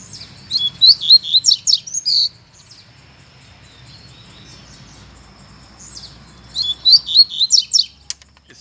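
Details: Lined seedeater, one of a wild pair in dense woodland with bamboo and seeding brachiaria grass, singing from afar but not coming to a cage: two bursts of quick, high, twittering chirps, each about two seconds, with a quiet pause between.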